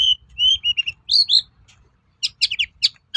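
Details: Long-tailed shrike song used as a lure to provoke other shrikes into replying: high, sharp whistled notes and chirps, then a burst of rapid scratchy, clipped notes after a short pause.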